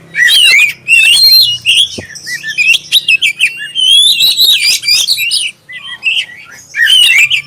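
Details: Clear song of a black-breasted oriental magpie-robin, played to prompt others of its kind to sing: dense run of rapid varied whistles, chirps and trills in long bursts with short breaks, over a soft low hum.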